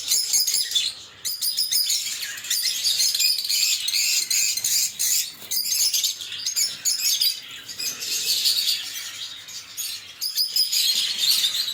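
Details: Lovebirds, small social parrots, in a dense, continuous chatter of high, harsh chirps and squeaky twitters, overlapping calls with brief pauses near one and ten seconds.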